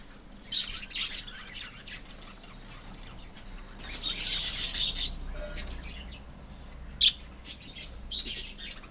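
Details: Colony of pet budgerigars chattering together, a dense mesh of high chirps and squawks with louder bursts near four and eight seconds, many birds calling at once.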